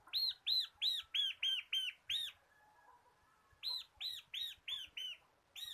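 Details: Tutor song from a local crystal-type bar-winged prinia for training cage birds: a rapid run of seven ringing arched notes, a short pause, then a second run of six, roughly three notes a second.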